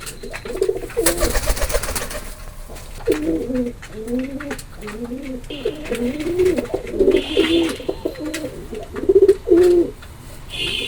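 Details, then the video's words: Pigeon coos, low and wavering, run almost continuously as overlapping phrases, with a burst of broadband noise near the start and some faint higher sounds. "Pigeon Sound effect"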